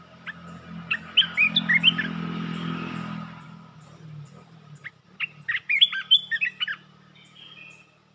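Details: A red-whiskered bulbul kept in a cage sings rapid 'poet dok' phrases. Two bursts of quick, whistled, chirpy notes are separated by a pause, and low traffic rumble rises in the background between them.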